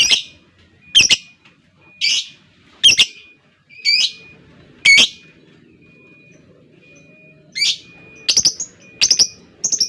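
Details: Lovebird in ngekek style, long rattling chatter: loud, harsh, buzzy bursts repeated about once a second with brief gaps, alongside a steady thin high electronic tone.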